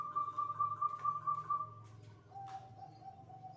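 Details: Zebra dove (perkutut) singing (manggung) around the midday dzuhur call to prayer: a pulsed, rolling whistled coo held on one pitch for about two seconds, then a lower steady note, with faint low rumble behind.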